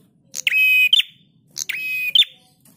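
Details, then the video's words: Prinia, a master recording for training cage birds. Two buzzy, rattling phrases. Each is a sharp note, then a steady rasping tone held about half a second, then a quick high flick, over a quiet background. "Masteran Prenjak Tamu GACOR"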